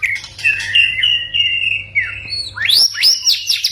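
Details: White-rumped shama song played to prompt silent or stressed shamas to answer: long whistled phrases with gliding notes, then a burst of higher, sharply rising and falling whistles near the end.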